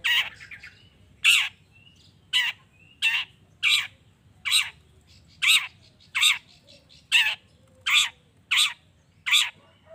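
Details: Long-tailed shrike giving a lure recording meant to provoke other shrikes into answering: loud, harsh, rasping notes repeated about every seventh-tenths of a second, around a dozen in all, with faint thin whistles from other birds behind.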